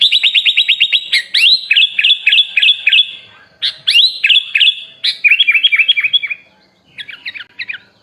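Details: Sooty-headed bulbul, a masteran tutor recording for training songbirds, rich in fill-in phrases: fast bright chip series, then looping whistled phrases of rising-falling notes in bursts, ending in a short scratchy group.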